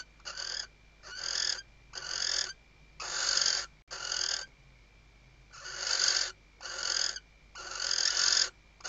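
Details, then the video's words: Western barn owl female calling her mate while arranging the nest, Riet Vell reserve, Tarragona, Spain, 2023: a steady series of nine breathy, harsh screeches under a second each, a brief gap midway. "Atusando el nido y llamando al macho · Stuffing the nest and calling the male"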